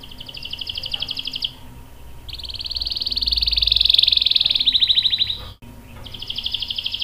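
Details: Canary rolling song used to train young canaries: bursts of fast buzzy trills broken by short pauses, with a low hum in the background and a brief dropout.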